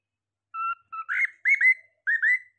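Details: Pet cockatiel whistling one short phrase: two flat, steady notes followed by several louder, bright slurred whistles that rise then dip, in a quiet setting.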